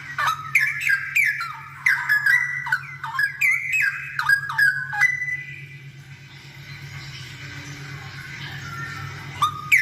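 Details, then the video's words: Straw-headed bulbul singing actively, used as a master recording to train other bulbuls to sing. Loud bubbling, rich warbled phrases with rising and falling slurred notes pour out for about five seconds, then a quieter hissing background before a final burst. "Suara cucakrowo gacor"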